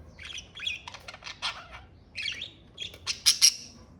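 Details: Pet budgerigars, Australian parakeets, chattering indoors: rapid buzzy warbles and squeaky chirps in quick bursts, ending in a few sharper, louder squawks.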